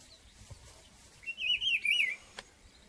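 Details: A Rufous-browed Peppershrike singing in an ipê tree to mark its territory gives one rich, rolling, warbled phrase of about a second, looping up and down at a fairly high pitch, with faint clicks on either side.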